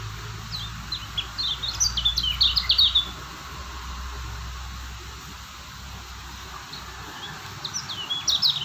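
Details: Lombok white-eye (kecial kuning), described as a steady singer: a short high twittering burst of slurred chirps, quieter and more distant-sounding, followed by a long pause and a brief final flourish, over steady low background noise.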